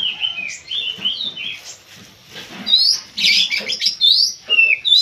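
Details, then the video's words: Kacer (Oriental magpie-robin) in a pacingan session, worked up by a facing rival. Varied whistled phrases, some slurred downward, mix with loud harsh buzzy bursts in an uneven, fast-paced song. Faint low rustling underneath. "pacingan kacer bikin emosi"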